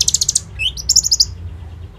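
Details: Common iora singing its rapid lure song for ninja sunbirds, phone-recorded: a fast trill of about six high notes, a rising slurred whistle, then another quick run of bright chirps, with faint background hum.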